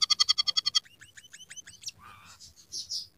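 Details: Emprit peking, or scaly-breasted munia, singing with canary, sparrow and red siskin phrases. A quick run of about nine sharp repeated notes gives way to softer slurred chips, a low buzzy warble and high hissing notes, over faint low background hum.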